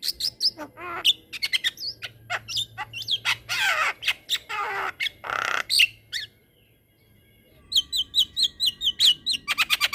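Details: A Javan myna in full, lively song, rolling on at length for training other mynas: rapid high clicks and chips, long harsh rasping bursts, a brief pause, then a fast run of repeated sharp notes.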